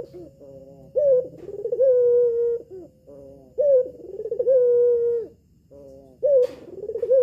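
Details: Albino collared dove hen with red eyes, calling so that males will answer: three rhythmic coos spaced about two and a half seconds apart, each a rising burst followed by a smooth flat tone and a soft fading tail.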